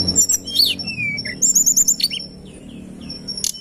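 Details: Sunda robin (tledekan gunung) singing in a recording meant for luring birds: piercing high whistled notes, a short run of rapid repeated chips, then softer falling slurs fading toward the end.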